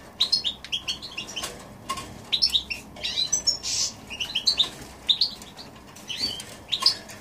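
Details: Goldfinch and canary hybrid recorded in January 2016, giving short separated bursts of high twittering notes and chirps with brief pauses between phrases over a faint background hiss.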